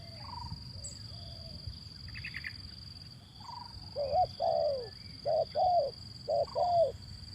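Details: Lure call of a male zebra dove for birds reluctant to sing: faint quiet notes and a brief chirp first, then from midway loud low coos in short-long pairs repeat about once a second, against a constant high whine.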